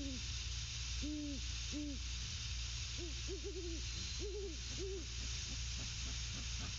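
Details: Nesting great horned owl pair exchanging hoots: three drawn-out low hoots early, followed by rapid stuttering groups of shorter hoots, likely two birds overlapping, against persistent low hum and hiss.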